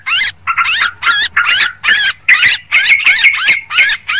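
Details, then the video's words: Noisy yellow-vented bulbul lure call: rhythmic bursts of twisting, liquid notes about twice a second, with a steady thin whistle-like tone running under the later bursts. "suara pikat burung trucuk ribut"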